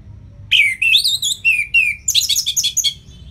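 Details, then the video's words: Caged orange-headed thrush singing a loud, varied phrase: a rising then falling whistled run of slurred notes followed by a rapid burst of buzzy chattering notes, over a low hum. "ANIS MERAH Ngeplong Masteran Jahat Untuk Burung Yang Malas Bunyi Agar Lebih Gacor Selalu"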